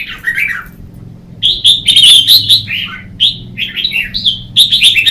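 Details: Red-whiskered bulbul in competitive morning singing, used as a lure to train and stimulate other bulbuls: a short falling warble, then bright, clear whistled notes in quick bursts, some rising and some dropping, with brief pauses between phrases.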